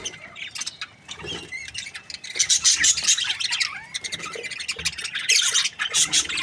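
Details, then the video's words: Happy pair of breeding Australian budgies: soft chirps at first, then swelling into loud, dense, buzzy chatter with sharp clicking notes. "Happy budgie chirping sounds"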